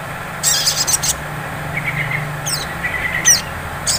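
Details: Sunbird (sogon) in ngleper style used as a singing lure: a burst of rapid high chips, soft thin whistles, sharp downward flicks, and a final chip cluster, over low droning background.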